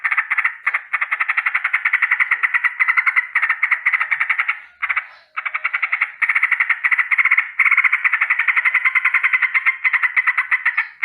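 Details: Yellow-vented bulbul's rolling morning alarm: an almost unbroken string of rapid, buzzy rattled notes, pausing briefly twice before continuing.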